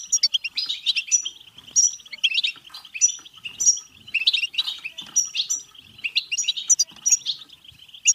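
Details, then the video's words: Song of the European goldfinch for encouraging goldfinches to sing and pair: a long, dense flow of jingling, twittering notes with repeated bright high chirps and short rasping trills, barely pausing. "بتبتة حسون فعالة و رهيبة لتحفيز الحسون على التغريد و التزاوج و الهيجان"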